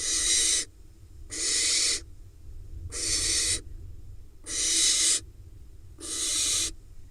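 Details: Barn owl nestling, one of four surviving in a late-laying pair's nest box in the Hula Valley, Israel, 28 July 2021, begging from the father after he drops a mouse: five long harsh hissing screeches, about every 1.5 seconds.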